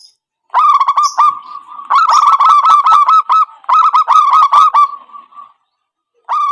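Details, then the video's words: Zebra dove lure call used for trapping: rapid staccato notes at a steady mid pitch, bursts of quick rolling coos separated by short pauses, with rich harmonics and a quiet background. "Suara Asli Pancingan_Pikat Perkutut"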